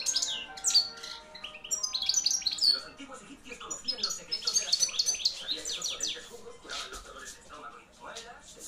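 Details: Loud song from a caged, hand-reared European goldfinch of the 2013 brood, wild type: a rapid run of high, tinkling twitters and sharp buzzy notes, pouring on almost without pause and fading slightly toward the end.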